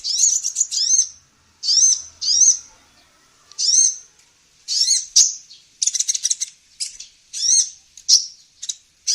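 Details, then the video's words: Vigorous song of a female sunbird, used as a training recording for cage songbirds: shrill, upward-arching chirps given singly or in quick pairs, with rapid stuttering runs of notes near the middle of the passage. "SUARA BURUNG KOLIBRI NINJA BETINA GACOR"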